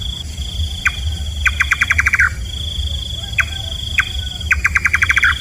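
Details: Nightjar, known locally as kaba, repeating its call: a lone chop, then a rapid series of about eight knocking notes that slightly fall, and again after a pause. A continuous shrill insect tone and low background hum are also heard.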